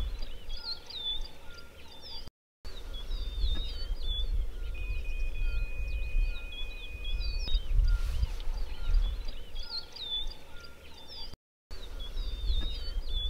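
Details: Cinnamon-chested bee-eater in Africa: high, short chirps come in quick bursts over a heavy low rumble of wind or background noise, with a thin steady tone in between.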